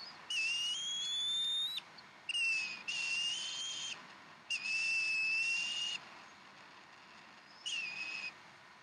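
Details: Evening feeding of fresh duck at a Decorah bald eagle nest, April 2012: four drawn-out, piercing whistles, the first slightly rising, separated by brief gaps, over constant broadband hiss.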